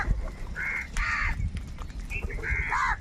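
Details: A crowd of crows fighting for food gives short, rasping caws, a few birds calling in turn, over a background of low murmuring noise.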